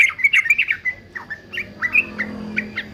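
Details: Quick bubbly notes from a male fighter yellow-vented bulbul, used for training, break into scattered chirps and short slurred whistles over a faint low background hum.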